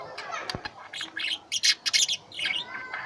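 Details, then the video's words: Pet lovebirds giving quick clusters of sharp, high-pitched chirps in short bursts, a brief tap early on, then louder chattering bursts about every half second. "Love Bird | I love my Birds| Sweet Voice"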